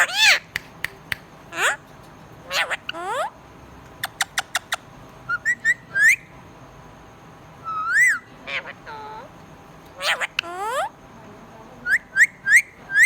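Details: Pet budgerigar in a lively chirping sequence of sharp clicks, upswept whistles and looping warbled notes, ending with a burst of three quick rising chirps.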